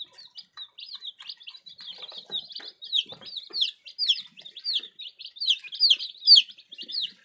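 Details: A group of baby chicks delivering continuous shrill peeps, many overlapping high downward-sliding cheeps that grow louder toward the end, with faint scratching in the background.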